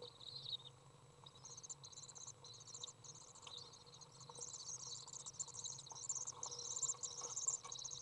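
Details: Common Swift parent entering a nest box to feed a young, recorded June 18th 2011; high, thin buzzy twittering that builds into dense, continuous chittering toward the end, with a faint low hum beneath.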